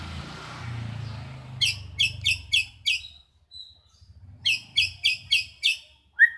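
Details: White-rumped shama sings two runs of about five sharp, bright repeated notes with short pauses, mimicking a bulbul (cucak jenggot). A low rumble is heard at the start.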